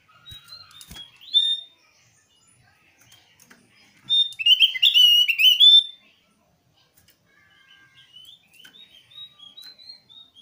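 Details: A Javan grey-throated white-eye calling a rival to make it sing: scattered thin chirps, then a loud burst of rapid whistled and twittering notes, then soft sliding whistles fading out.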